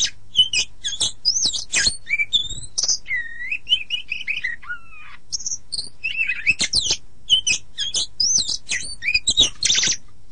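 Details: Song of an oriental magpie-robin for training other birds, best played in the morning or evening: quick high twitters and raspy notes, then a run of repeated looping whistles, ending with dense chattering and a buzzy burst.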